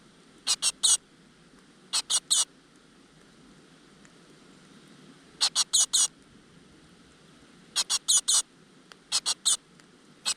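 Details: Great tit chicks in a rock-crevice nest, fed insects by their mother, give shrill, high-pitched begging chirps in tight groups of two to four, repeated every couple of seconds.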